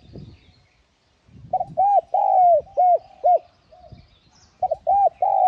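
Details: Spotted dove lure song with calling, urging and cooing parts: a series of hollow arched coos, one longer falling note among them, pausing briefly before another burst; soft rustling noise at the start.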